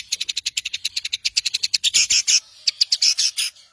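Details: Long-tailed shrike master song for training songbirds: a steady rattle of high, sharp chips about fifteen per second, breaking into louder harsh bursts, a pause, then more rapid chipping.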